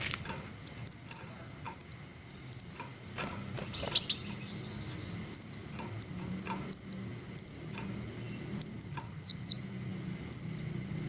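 Thin, very high, sharply falling chip notes from a hummingbird, given singly or in quick runs of three to five, with faint low background rumble.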